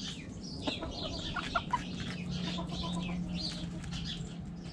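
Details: Backyard coop chickens: hens give short clucks and brief harmonic calls over a constant low hum, with many small birds chirping high in the background.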